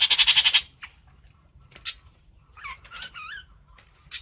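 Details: Long-tailed shrike singing to call its flock, opening with a harsh, rapid rasping chatter, then scattered high squeaky notes and warbled, swooping phrases.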